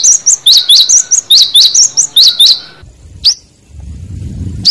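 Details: Cinereous tit recorded in the wild, used as a lure call to provoke rivals, gives quick, high, sharp two-part notes about ten times in two and a half seconds, then a pause and single notes over a low rumble.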